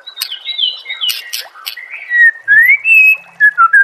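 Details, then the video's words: White-rumped shama (murai batu) song used to train caged birds: scratchy notes and clicks, followed by pure, slurred whistles that rise and fall, repeated in short bursts. "murai batu anda dengar suara MASTERAN burung seperti ini"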